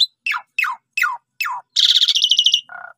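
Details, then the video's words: Asian pied starling singing, used as a lure to draw song from other birds: five sharp downslurred notes about every third of a second, then a loud buzzy trill and a lower nasal note. "Gak Sampai 3 Menit Jalak Suren Paud, Pundung Langsung Respon Gacor Dengan Pancingan Jalak Suren Ini"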